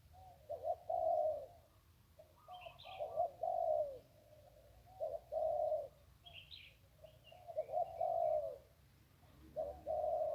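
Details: Zebra dove, Ping River area of Thailand, giving its 'one kuk' song: a brief lead note then a drawn-out rolling coo, phrases spaced by pauses, a few quick high chirps in between.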